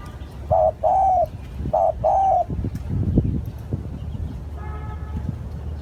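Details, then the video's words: Spotted dove cooing as a lure call: two paired coo phrases, each a short note followed by a longer drawn-out one, low and hollow, over rustling background noise and a faint distant tone near the end. "Tiếng chim cu gáy gọi hay"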